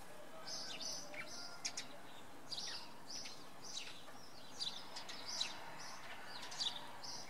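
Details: Common redpoll in fog on an evening at Oksywie, Poland, giving dry, high chattering calls in quick, uneven bursts over about seven seconds against a steady low background rumble.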